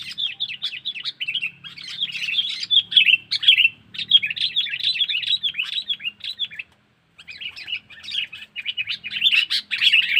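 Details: Sooty-headed bulbul giving a 'pikat cengkeram' lure call used to draw in wild bulbuls: dense, fast chattering chirps and twittering notes in long bursts, with a brief pause near seven seconds and a faint low hum beneath.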